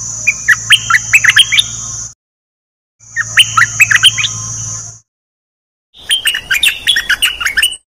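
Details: One of three decoy bulbuls singing three lively phrases of rapid chattering chirps, the first two over a steady high whine and low hum, the last clearer and busier.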